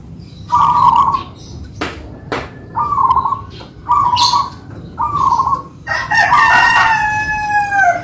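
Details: Kept local zebra doves in manggung duet: four quick bubbly coo bursts at steady intervals, then a rooster's drawn-out crow overlapping the final phrases.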